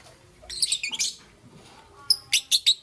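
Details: Morning chirping from a young green and yellow peach-faced lovebird, with a rapid run of shrill, harsh chirps, a pause, then four loud evenly spaced high squeaks closing the passage.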